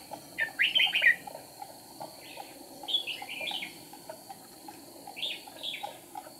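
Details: Red-whiskered bulbul decoy singing during trapping, flicking its wings and tail, recorded 8 April 2019: short bright warbled phrases that rise and fall, sung in three bursts over a steady background hum and soft lower chirping.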